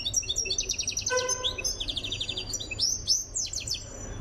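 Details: Goldfinch from Tiaret, Algeria, in training for song, pours out dense, rapid high twittering with buzzy trills and a brief lower rattling note, continuous throughout.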